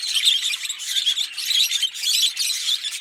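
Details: Two green Fischer's lovebirds chirping and singing: shrill, scratchy chirp bursts pulsing roughly every half second with brief gaps between them.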